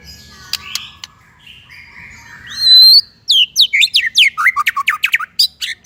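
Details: Tutor song of a white-rumped shama for untrained and stalled birds: soft scattered chirps and a drawn-out whistle, then a fast energetic series of bright sweeping notes tumbling downward, over a faint low hum.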